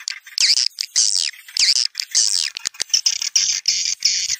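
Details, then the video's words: Dusk lure recording of edible-nest swiftlets: wavering buzzy twitters rising and falling, then a series of steady high trilled buzzes repeated roughly every half second. "SUARA WALET TARIK SENJA"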